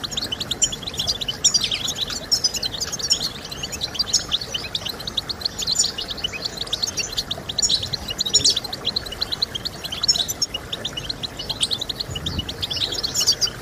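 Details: European goldfinch singing, used for encouraging singing in kept birds: a sustained rush of high tinkling twitters and trills, with louder bursts scattered through, over gentle hiss.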